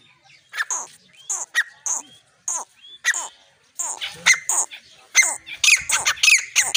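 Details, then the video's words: Partridge giving harsh, scratchy call notes in irregular bursts, some short and sharp, others longer and grating, separated by brief silences. "Titar Voice|بگڙو تتر|تتر جي ٻولي|اچھی نسل کا تیتر|تیتر"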